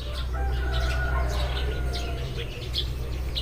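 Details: Morning flock of Eurasian tree sparrows: quick, high chirps tumble over one another, alongside a few longer, level whistled tones, with a constant low hum beneath.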